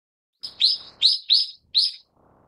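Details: A Brown-eared Bulbul of the subspecies Ixos amaurotis harterti gives four loud, harsh, squealing notes in quick succession over about a second and a half, with only faint background hiss after.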